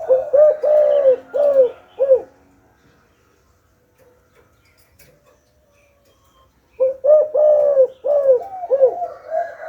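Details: Spotted dove, a decoy bird, cooing in two bursts of three to four deep, rounded, slightly downslurred notes, separated by several seconds of near silence.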